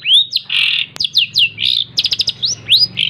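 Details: Pet long-tailed shrike raised by hand feeding and trained on mp3 songs gives a dense 'tembak rapat' burst: rapid high whistles, rasping buzzy notes and a fast stutter of clipped chirps, delivered almost without pause.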